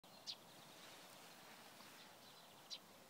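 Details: At Provodov-Šonov on 24 March 2016, a Eurasian tree sparrow gives two short, high chirps about two and a half seconds apart, over a steady hiss of outdoor background noise.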